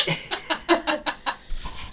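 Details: A young male cockatoo about four years old, kept as a free-roaming pet, gives a run of about eight short, raspy, chuckling laugh-like syllables, roughly five per second, while his owner is on the phone.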